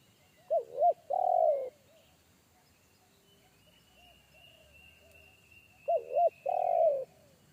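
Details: Wild spotted dove in forest giving a deep, bass 'kuk satu' style call that made a trained lure dove shy away; two phrases about five seconds apart, each a short doubled coo followed by a longer slurred note, with a faint steady insect hum behind.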